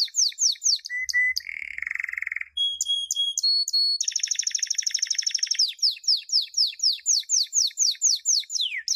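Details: Canary training song for young birds: falling swept whistles, a low buzzy churr, flat piping notes, a dense roll, then a long run of repeated descending whistles.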